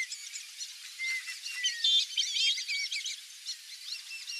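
A flock of Brazilian teal gives a dense chorus of thin, high whistled notes, many overlapping and rising or falling, with chirps mixed throughout.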